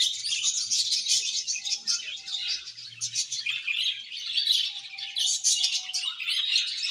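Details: Steady, busy chatter from a budgerigar colony: countless rapid, high, raspy chirps and warbles overlapping without pause, with a faint low hum underneath.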